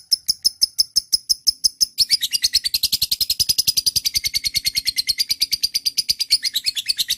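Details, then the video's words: Lovebird chirping: about two seconds of sharp, high, evenly spaced chips, roughly four per second, then a fast, dense run of harsh chattering notes that continues without pause to the end. "Love bird - auto nyaut"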